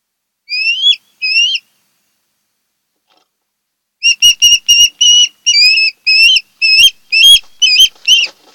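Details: Wild osprey at a nest on Kent Island, Maryland, filmed by a nest camera in August 2018: two shrill whistled upslurred notes, a pause, then a rapid series of about a dozen piercing rising whistles.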